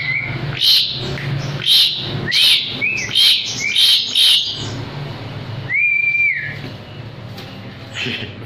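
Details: Asian pied starling, recorded singing actively as a training master: rhythmic scratchy bursts roughly twice per second mixed with short whistled notes, then a long level whistle and a quieter close.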